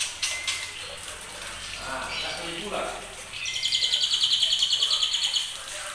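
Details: Young white-rumped shama just over two months old, from a champion bloodline, sings in the trotolan style. Muffled voices and faint chirps fill the first half, then a fast, high, buzzy trill of rapidly repeated notes begins near the end.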